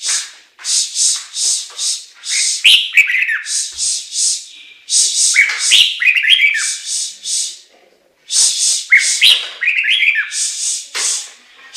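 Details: Chinese hwamei singing a long, energetic sequence of rapid, scratchy high notes woven with melodious slurred whistles, in bursts separated by brief gaps.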